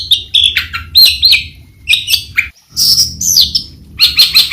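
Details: Varied warbling from a long-tailed shrike: short bright chirps and slurred whistles in irregular clusters, a pause, then a louder high phrase and quick twitters.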